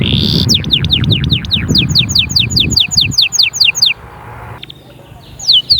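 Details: Canary singing to encourage young birds to sing and prepare females: a run of fast descending whistled notes over low rumbling noise, a pause, then two more falling whistles.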